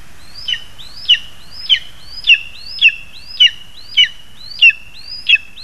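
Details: During a food delivery to the chick, 2 August 2020, a lesser spotted eagle gives nine quick notes, each a short upward slide dropping into a sharp yelp, steady and repeated roughly every 0.6 seconds.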